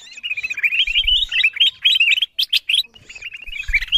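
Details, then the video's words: Lure calls of the kutilang emas bulbul for attracting wild birds: quick, bright chirps in tight series, with a short pause and a few louder higher notes midway. "Suara pikat kutilang emas memanggil burung liar"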